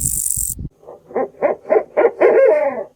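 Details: Owl hooting: a short burst of unrelated noise, then a run of five or six brief tremulous hoots spaced about a quarter second apart, ending in a longer, wavering, slightly falling hoot.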